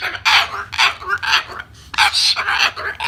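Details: Pet bird mid-rant, telling off its owner before returning to its nest: rapid series of coarse, noisy grumbling squawks, about two per second, with a brief pause in the middle and faint low background hum.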